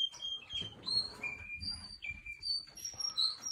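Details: Russian canary singing, a run of clear whistled notes and short trills jumping between high and very high pitches, with brief gaps between phrases and a faint low background rumble.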